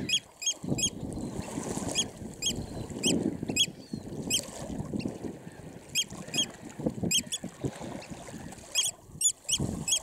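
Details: Close-up Eurasian oystercatcher chicks at RSPB Snettisham in Norfolk, UK, recorded 19 July 2016, giving clipped high piping peeps in scattered clusters across ten seconds, set against steady low-pitched wind rumble.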